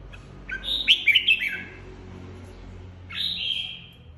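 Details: Red-whiskered bulbul, a caged flock leader recently removed from an aviary, in competitive singing: a quick run of sharp chirped, warbling notes, then after a pause a smooth descending whistled phrase, with faint low hum behind.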